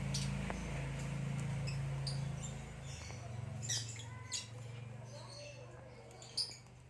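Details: Green hybrid male Nyasa lovebird and a Lilianae (Nyasa) lovebird give scattered high, squeaky chirps and short twittering notes over a steady low mechanical hum.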